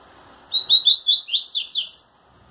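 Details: Double-collared seedeater courting a female, trembling its wings as it sings: a quick string of high, slurred chirps and twittering notes, about nine in a row, accelerating and climbing toward the end, indoors.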